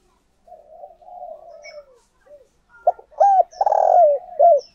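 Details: Spotted dove used as a decoy, cooing to call and stir up wild doves: soft low hooting notes, then a louder run of throaty rolled coos with short breaks, ending in a falling note.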